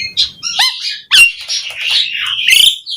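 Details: Asian pied starling song in full, rich style, used to prompt other starlings to sing: harsh scratchy notes, a looping whistle, bursts of clicks and a rasping rising phrase, with no other sounds clear.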